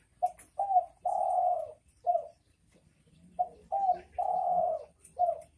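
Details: Derkuku or spotted dove calling in the 'bekur bekur' style. The coo phrase is given twice: two brief mellow notes and then one long sustained coo, with a shorter closing note. A pause separates the phrases.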